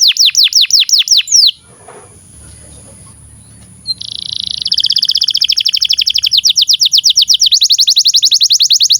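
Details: Canary song for tutoring young canaries: a burst of swooping whistled notes, a short pause with faint background noise, then a long rapid high trill that gradually slows.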